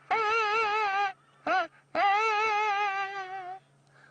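Two long, wavering musical notes, sung or played, separated by a short burst, over a steady low electrical hum; no animal is heard.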